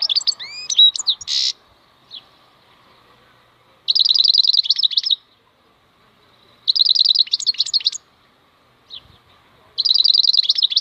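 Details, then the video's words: Khalwi-style song of a European goldfinch (maknine): sweeping whistles and a harsh buzz open, followed by repeated bursts of rapid, tinkling, metallic twitters spaced a few seconds apart, with single soft chirps between. "MAKNINE KHALWI super chant"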